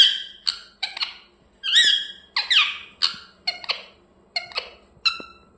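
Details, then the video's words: Pet parrot chirping in a room, a rapid irregular series of short sharp chirps and a few longer grating squawks, loud and close. "Parrot chirping sounds"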